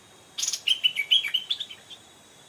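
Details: Wild Stripe-throated bulbul, an old, fierce bird drawn to a trap with a caged decoy; a noisy opening burst followed by a quick series of clear, bubbly whistled notes falling off at the end.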